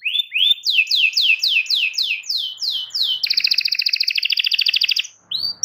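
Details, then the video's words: Domestic canary song meant to teach young canaries: downward-swept whistled notes at a steady pace, then a very rapid rolling trill of about ten notes a second, a brief pause and one final note. "PANCINGAN BUAT KENARI PAUD BELAJAR NGELAGU DAN GACOR"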